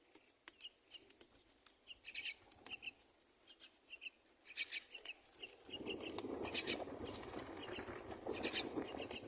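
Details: Mother myna feeding two babies at the nest; brief high, raspy chick calls repeat in scattered bursts, then a steady rushing background noise rises halfway through beneath louder squeaky calls.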